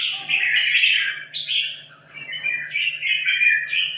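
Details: Red-whiskered bulbul kept caged two and a half years sings for competition training: a nearly continuous stream of loud, lively warbling with quick chirped notes and one brief dip, steady low hum underneath.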